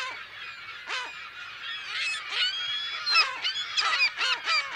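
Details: Colony of California gulls at close to medium range. Several birds give overlapping squealing, drawn-out cries that bend down in pitch, irregularly spaced, mixed with shorter nasal yelps from neighbouring gulls.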